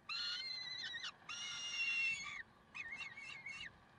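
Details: Early-morning Peregrine falcons in Karlsruhe, 30 May 2010, 6:56: two long, loud, rasping wails, followed after a pause by a quicker stuttering series of shorter harsh notes.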